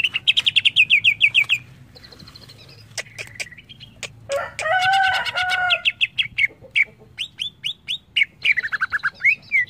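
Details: Greater green leafbird (cucak ijo) in varied song: a quick string of down-slurred notes, sharp clicks, a harsh rich chattering passage, then repeated rising and falling whistles.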